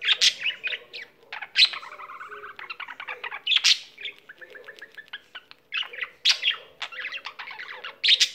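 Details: Budgerigar kept as a pet singing nonstop: long stream of fast ticking notes, twittering trills and occasional loud harsh squawks.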